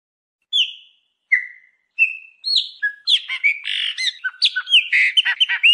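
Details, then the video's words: Chopi blackbird singing to encourage a pet bird: three spaced, falling whistles open the phrase, then a rapid jumble of chirps, slurs and clicks. "1 HORA DE CANTO DO PÁSSARO PRETO PARA ESQUENTAR O SEU"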